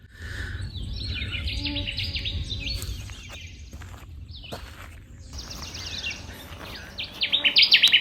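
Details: Connecticut Warbler singing unseen in a tamarack bog at Sax-Zim Bog, northern Minnesota, in summer; bursts of rapid, high, ringing repeated notes, the last burst loud and close, with insect buzz and low background rumble.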